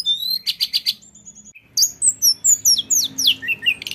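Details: Lesser shortwing, tledekan gunung, singing ngeroll style: a set of pulsed buzzy notes, a short pause, then a rapid tumbling series of high descending whistled slurs against a low background hum.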